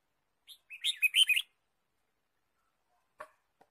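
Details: Red-whiskered bulbul in a forest during bird trapping, 23 March 2017: a quick burst of bright, high, twittering chirps lasting about a second, followed by silence and one faint click.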